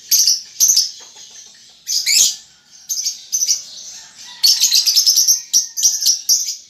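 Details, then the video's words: Baby lovebird under five months learning its chatter, ngetik and ngekek: irregular high scratchy chirps, then a longer fast rattling run of ticking notes, with soft wing flutters. "Lovebird Paud Baby Balibu Muda Belajar Ngetik Ngekek"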